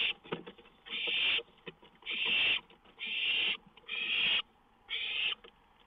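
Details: Owl on a lookout at 1:06 AM, 19 May 2013, with a songbird nearby. Five loud, coarse hisses come roughly once a second, mixed with scratchy tapping and rustling between the bursts.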